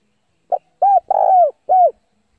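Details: A single coo phrase from a caged Vietnamese decoy spotted dove luring rivals into a fight: a brief low note, a rounded coo, a longer rolling coo, then a final falling coo, clean and loud.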